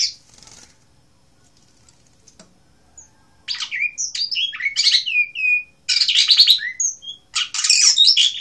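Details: Blue rock thrush from Asia: a brief note, about three seconds of near silence, then energetic song. It mixes buzzy chatter, piping slurred whistles and rasping bursts in three linked phrases.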